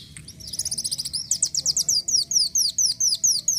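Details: Van Hasselt's sunbird, a kolibri wulung, in full lively song used as a training recording: a short buzzy start, then rapid high, thin, down-slurred notes repeated about twice per second, accelerating into a bright ringing series, with low background rumble.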